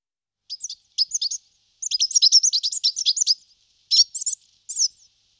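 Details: Marsh tit giving a quick chattering series of high, sharp chirps and short twittering notes in loose bursts over about five seconds, with clean silence between groups and no other sounds.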